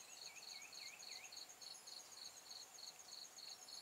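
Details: Red-whiskered bulbul lure bird singing competitively during trapping in Hòa Bình, Vietnam, on 24 April 2017: four quick swooping whistled notes in the first second, over a steady pulsing insect trill that runs throughout.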